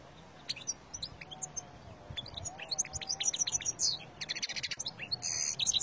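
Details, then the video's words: European goldfinch from the wild in Algeria, recorded 2020, delivering a lively tinkling song of rapid high chips and trills, growing denser toward the end, with harsh buzzy stretches near the close. "تغريد الحسون الخلوي الجزائري"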